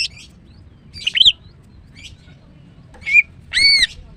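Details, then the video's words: Female greater green leafbird singing in captivity as a lure for non-singing birds; scattered thin chirps build to a clear whistled upslurred note and a final drawn-out ringing, arched whistle. "Ampuh TERAPi MACET BUNYI dengan CUCAK IJO BETINA"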